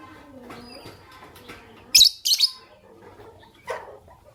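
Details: Fischer's lovebirds, a white albino and a pastel green bird, in the morning: a burst of piercing, high-pitched chirps in quick succession, then a softer lower squeak, with faint twittering before them.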